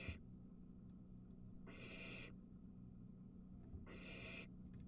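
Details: Barn owl nest with three nestlings competing as an adult delivers a mouse; rasping hissed screeches lasting under a second, spaced about two seconds apart, with quiet gaps and a faint low hum.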